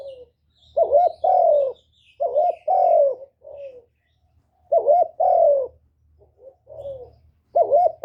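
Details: Decoy spotted dove kept to stimulate other doves, voicing gáy gọi, thúc and gù calls: repeated phrases of throaty coos, each a pair of loud swooping notes followed by a softer tail note, several phrases in a row.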